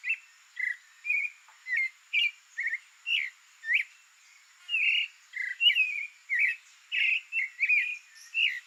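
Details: Wild Brazilian creamy-bellied thrush pouring out a long varied song of brief warbled and slurred notes, some doubled, delivered quickly with short gaps, against a soft persistent high insect tone.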